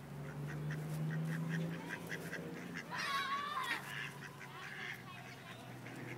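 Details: Ducks in Wilmington, North Carolina, a group of rejected males forcing mating on a female; a low steady hum, then a sudden rough burst of calls with a whistled rising note midway, followed by softer quacks.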